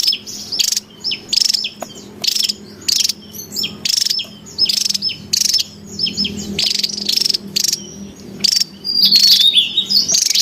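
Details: Wild Javan tesias call noisily in Java, recorded for luring and training cage birds: short, high, buzzy trilled bursts repeated about every second, with thin whistled notes between them.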